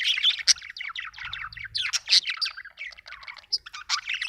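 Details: Budgerigar giving a continuous stream of quick, high chirps and chattering warble notes, dense and uneven, with occasional sharper squeaky accents and no other clear sounds.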